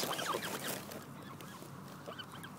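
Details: A hungry Canada goose (Branta canadensis) gives a quick burst of nasal honking notes in the first second, then fades into soft background hiss.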